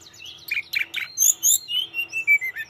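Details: Energetic Tledekan gunung song aimed at stirring a rival: a few short buzzy chips, then clear, high whistled notes sliding downward in a descending series, each note brief and separate, over a quiet steady low hum.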